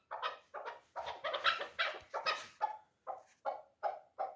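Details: Three-year-old hunting chukar partridge known as a dulan kabk: a run of harsh, clucking chuk notes, quick at first, then slowing to evenly spaced bursts about every half second.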